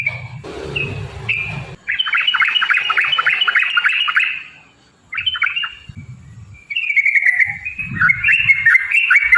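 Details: Yellow-vented bulbul in a long, rapid 'ropel' song, used as a lure to provoke other bulbuls to sing. Dense runs of bubbly, rising and falling whistled notes pause briefly, then resume. Low rumbling noise is heard at the start.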